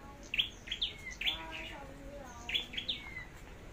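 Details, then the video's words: Contest-singing flowerpecker, picked as a decoy, Long Thành, Vietnam: two bursts of three bright descending chirps, each ending in a thin downward slur, with a quiet gap between. "Chim Sâu Đầu Đỏ Hót Đấu"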